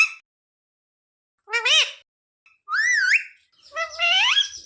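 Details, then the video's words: A pet parrot talks in three voiced phrases: a bouncing two-part syllable, a rising then falling whistled word, and a long rising utterance, with a brief clip of sound at the start and quiet between. "talking parrot"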